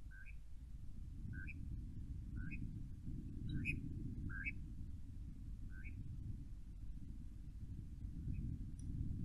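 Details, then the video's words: European nightjars on a windy night giving short, froggy two-note chirps, about one every second, over a steady roar of wind. "Nightjars on a windy night 00:18-01:11 with froggy chirps"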